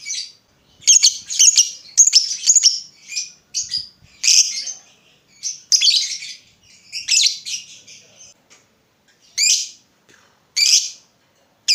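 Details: Chatty lovebird used as a lure so other lovebirds answer with ngekek, a long chattering trill: high squeaky chirps and short buzzy bursts in uneven clusters, with brief pauses between groups.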